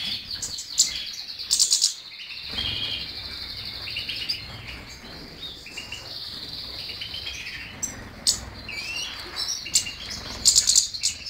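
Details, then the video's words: A European goldfinch delivers a long, rapid, tinkling song with a sustained buzzy trill, interrupted briefly by sharper bursts, all high-pitched over faint low hum. "cardellini chardonnert jilguero stiglic"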